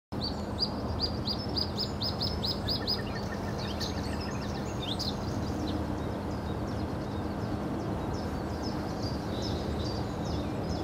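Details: Bluethroat singing in the Hobokense polder on 21 March 2012: a quick series of high, repeated ticking notes, then varied scratchy and whistled phrases, heard faintly over steady low background noise and hum.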